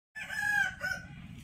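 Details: Rooster crowing in the morning, a single short drawn-out crow with a steady held middle and a falling close, over a low rumbling background hum.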